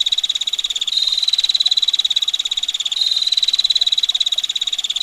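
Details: A female bar-winged prinia rattles off a long ngetir call, tight sharp high-pitched ticks packed closely together, pulsing slightly in volume about every two seconds, with a hiss of water behind.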